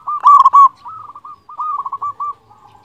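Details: Local zebra dove with a strong voice, a master recording meant to provoke rivals and raise breeding drive. One loud rolling coo burst is followed by a softer trailing run of quick, rounded cooing notes.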